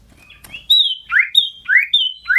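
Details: Scarlet-headed flowerpecker singing loudly and shrilly while hopping about: a loud, high, clear whistle followed by a quick run of sharp, ringing notes. Each note slides steeply downward, repeated about every half second with faint overtones. No other sounds.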